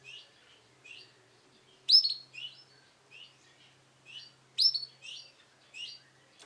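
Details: Sunkist variety male canary producing scattered high chirps in small clusters, two loud piercing notes standing out, separated by brief pauses; a faint low hum runs beneath.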